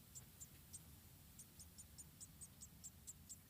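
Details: Quiet begging from wild munia chicks in an Indonesian nest being fed by their mother: a short pause, then a regular run of tiny high squeaks against soft low noise.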